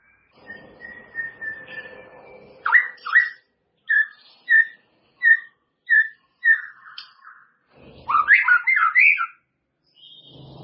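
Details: White-rumped shama (murai batu) song used as a training recording to help caged birds bring out their song repertoire: a series of clear, short whistled notes repeated about every half second, then a rich, tumbling phrase of rising and falling whistles, over a faint low hum.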